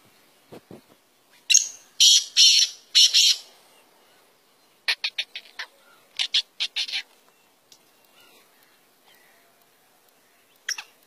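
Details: Black francolin, also called Indian black partridge or kala teetar, calling in short, harsh, scratchy bursts grouped in rapid runs of clicks and rasps with pauses between phrases.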